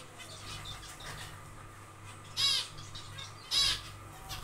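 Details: Two strong, nasal, trumpet-like beeps about a second apart from zebra finches nest building in an aviary, with faint chirps between and a low background hum.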